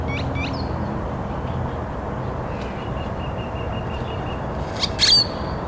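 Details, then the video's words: A loud grackle gives a few sharp high chirps, a short run of evenly spaced thin notes, then a loud squeaky, creaking burst near the end, over steady background hiss. "Another Loud Grackle"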